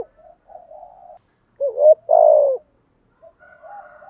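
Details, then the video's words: Spotted dove cooing in the 'thúc gù' plus 'gáy gọi' style: quiet low murmurs, then a short rising note and a loud, drawn-out, throaty coo that sinks in pitch, followed by faint soft coos. "tiếng chim cu gáy bài bản [ Thúc Gù + Gáy gọi ] bổi nghe gáy theo liền/ cu cườm thúc gù"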